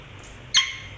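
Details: A pet parrot gives one abrupt, harsh squawk with stacked overtones, lasting a fraction of a second, then fading against a quiet indoor background hum.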